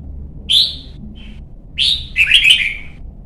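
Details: Young red-whiskered bulbul in competition song training gives two clear whistled notes followed by a longer chattering warbled phrase, bright and mid-high pitched, against a low hum.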